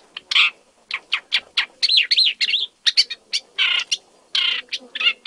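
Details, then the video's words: Isabelline shrike (Lanius isabellinus) in Jiangjun District, Tainan, Taiwan, on 25 December 2023, the first Taiwan main-island record, giving a rapid, varied, near-continuous run of harsh chacks, buzzy notes and looping whistled phrases. "荒漠伯勞/Isabelline Shrike"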